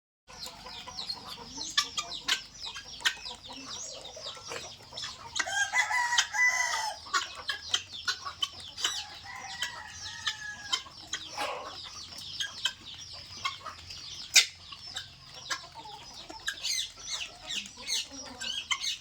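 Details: Helmeted guineafowl at eating time in Assam, a dense chorus of many birds giving overlapping high, scratchy chattering calls, with louder harsh bursts around six to seven seconds and sharp clicks scattered throughout.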